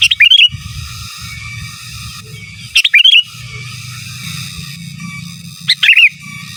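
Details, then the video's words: Sooty-headed bulbul in 'gacor giras' and 'menggaruda' song style, used as master song for training birds: three repeated bubbly whistled phrases, each a few fast notes ending in a rising-falling slur, roughly every three seconds over a constant hum. "Suara Burung Kutilang Gacor Giras dan Menggaruda Cocok Untuk Masteran"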